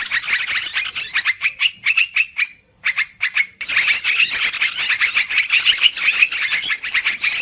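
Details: Busy, long-running lure call of yellow-vented bulbul for trapping birds: a run of short, bubbly chattering notes, a moment of silence, then a dense rolling chatter of overlapping voices.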